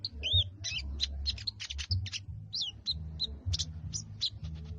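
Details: Sooty-headed bulbul, locally called sogon, giving a plain chattering ngriwik song: quick bursts of short sharp high chirps and a few curved whistled notes, irregularly spaced, over a steady low hum.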